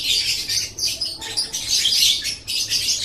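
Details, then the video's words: Kept lovebird singing, used as a master recording to train other birds: a continuous rasping, twittering chatter, high and scratchy, swelling and dipping in short waves every half second. "Masteran Suara Burung Love Bird"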